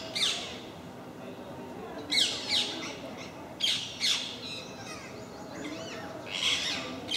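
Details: Parakeets in a group at MK park, a regular visit that makes a racket: loud rasping screeches in clusters, with sharp bursts near two, four and six seconds and chattering between them.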